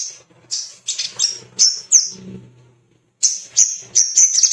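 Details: Male little spiderhunter calling for rivals and females, played to make birds sing: sharp, very high chips spaced about half a second apart, a short pause, then quicker twittering.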